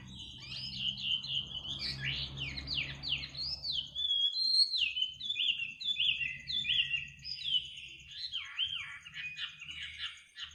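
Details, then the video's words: Midnight bird song: a rich, varied stream of rapid whistled and twittering notes, with low hum in the background and a faint steady high trill. "kicau burung di tengah malam"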